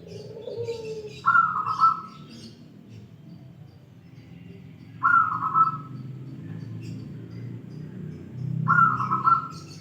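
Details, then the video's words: Crystal-voiced local wild zebra dove repeating its bright, quavering trilled phrase three times, roughly every three and a half seconds, against a steady low rumble and faint chirps in the background. "Perkutut lokal alam suara kristal"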